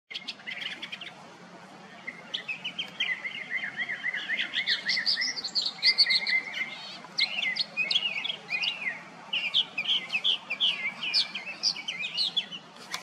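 A Northern mockingbird sings a long, varied run of bright chirps, trills and whistled phrases, many repeated a few times before switching, over a faint low hum.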